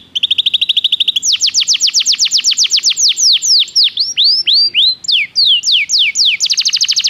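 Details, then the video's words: Training song of a Belgian canary, opening with a steady high trill, then a long run of sweeping downslurred whistles that shift pitch from phrase to phrase, ending in a rapid buzzy trill. "O canto do canário belga fascina muitas pessoas - o melhor treinamento para canários"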